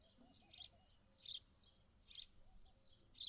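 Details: House sparrow calling with four clipped, high chirps, one roughly every 0.8 seconds, over soft background noise and faint lower tones.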